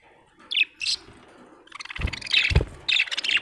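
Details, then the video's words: Happy pet budgerigar giving a few separate bright chirps, then a busier stretch of squeaky twittering mixed with low knocking thumps. "Happy budgie chirping sound"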